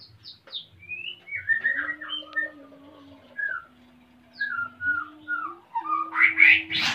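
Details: A male white-rumped shama in breeding condition wanting to mate, kept in Salaman, Magelang, Central Java, while the female builds a nest. Spaced, sliding whistles over a steady low hum end in a harsh, noisy burst.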